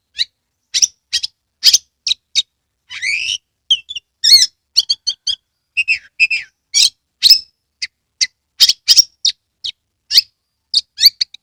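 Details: Oriental magpie-robin song meant to stimulate reluctant birds to sing and open the tail: clipped high chips and squeaky notes with occasional rising buzzy sweeps, delivered in rapid irregular bursts on a quiet background.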